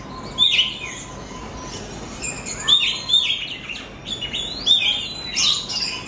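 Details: Oriental magpie-robin song used as a lure recording to stimulate pet birds to sing: bright whistled notes and sharp upslurred chirps in short bursts about every second, with a faint steady background hiss.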